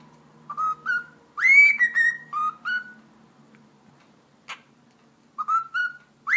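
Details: Pet cockatiel whistling a melody of short pure notes and one bold upward-sweeping whistle, with a faint low hum in the background and a long quiet stretch before the tune restarts.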